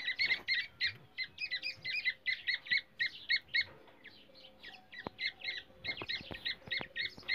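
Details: Black francolin in India, forest, calling as used for luring and trapping: quick bursts of grating, squawky chirps, four or so a second, briefly quieter midway, with several sharp clicks near the end.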